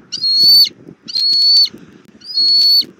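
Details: Bald eagle family together at the nest tree, filmed by a Southwest Florida nest camera in April: three long, loud, steady high whistles, each roughly half a second, with a soft low background rumble between them.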